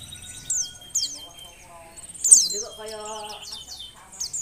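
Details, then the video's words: Oriental white-eye female in breeding condition, calling to encourage males to sing; high downward-sliding whistles and twitters alongside lower, tonal, buzzy sounds from other sources in the middle of the clip. "suara pleci betina birahi"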